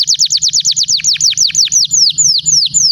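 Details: Canary singing to prompt other canaries: a run of rapid falling whistled notes that gradually slows into wider-spaced, longer downward slurs.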